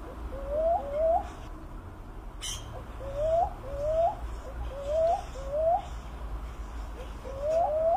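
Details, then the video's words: Philippine cuckoo-dove (Macropygia tenuirostris) calling in short upslurred hooting notes, often doubled, with the pairs coming at roughly one-second intervals against a low background hum and one sharp click. "PHIL.BROWN CUCKOO DOVE BIRD|SOUND/CALL"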